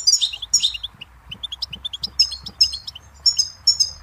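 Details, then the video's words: Goldfinch song: bright, tinkling twitters and short buzzy notes pitched high, delivered in quick irregular bursts with brief pauses between phrases. "Birdsong Motivation Let Goldfinches Inspire Your Success"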